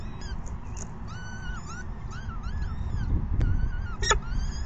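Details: On May 14, 2021 at the 6 PM evening feeding, peregrine falcon chicks give insistent, wavy squealing calls in rapid succession, plus a sharp clicking burst, over continuous deep background rumble.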